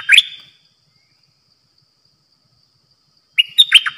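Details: Caged bulbul kept as a decoy for trapping gives short bright warbled phrases of quick chirpy notes, one at the start and one at the end, separated by about three seconds of silence.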